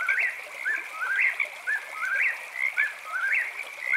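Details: At night an eastern whip-poor-will repeats its rhythmic whistled phrase about once a second: a low note, then a sharply rising, emphatic ending. Four phrases sound over a constant shrill drone of frogs and insects.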